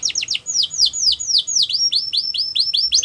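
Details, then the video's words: Yorkshire canary singing a training song for young canaries: fast series of bright downward-sweeping whistled notes, repeated about four to five times a second, high and clear throughout. "The Best Canary Training Song | Yorkshire Canary Singing"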